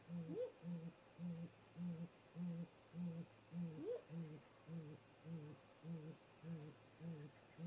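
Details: A great grey owl pair visits its nest snag during late afternoon, 18:58 MDT, seen by a remote nest camera; a long, even string of deep hoots about twice a second, with two rising whoops early on.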